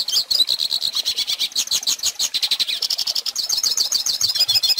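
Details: Pintassilgo, or goldfinch, singing as a model for young birds: rapid high chirps and warbling notes run together in a dense, pulsing twitter, ending in quick trilled phrases.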